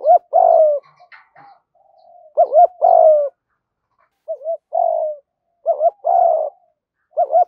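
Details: Spotted doves, male and female, calling to stimulate birds in training; soft cooing phrases, each a quick doubled rising note then a longer falling coo, repeated irregularly with brief pauses on a silent background.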